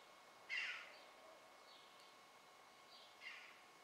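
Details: Eurasian jay gives two harsh, rasping screeches about three seconds apart, the first louder, against a faint steady background hiss.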